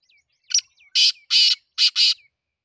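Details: Black francolin giving a harsh, grating call: a brief opening note followed by four loud rasping bursts in quick succession, the final pair close together. Faint, thin, down-slurred chirps from another bird sound between the notes.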